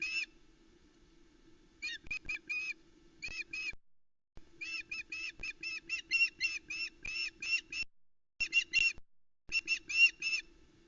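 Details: Osprey female at the Loch Arkaig nest in Scotland, 17 July 2020, calling while the male delivers a headless trout to the chicks; clipped piping yelps in quick runs of up to a dozen, with brief silences between runs and a faint low hum.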